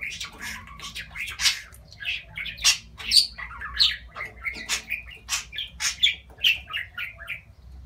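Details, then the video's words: Pet talking budgerigar, said to be declaring its love, in busy, rapid warbling chatter: scratchy squawks, clicks and short squeaky whistles in quick bursts, high-pitched and continuous, with a faint low room rumble. "Aşkını ilan eden Konuşan muhabbet kuşu"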